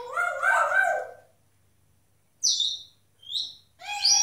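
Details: Four pet grey parrots calling: a loud harmonic squawk lasting about a second, then silence, then a sharp high whistled note, a shorter whistle and another harmonic call, with a faint low hum throughout.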